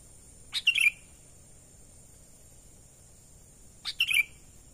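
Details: Sooty-headed bulbul calling naturally, a sound used to lure wild birds: two identical bubbly phrases about three seconds apart, each a sharp high note then a quick falling chatter, with a steady faint high whine behind.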